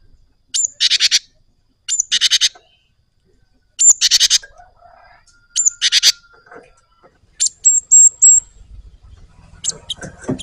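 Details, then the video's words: Java sparrow in vigorous rolling song: repeated phrases of a high whistle followed by buzzy chips, then a string of high whistled notes, with faint low rumbling toward the end. "SUARA BURUNG GELATIK GACOR TINGKAT DEWA NGEROLL"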